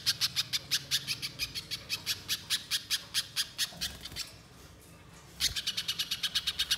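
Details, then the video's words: Spiderhunter (pijantung pisang) song used as a lure to make a bird sing: a fast run of sharp, evenly spaced high notes, a brief pause, then another rapid burst of the same repeated notes. "Pancingan Pijantung Pisang Agar Bunyi Gacor Konslet Mbeset Panjang"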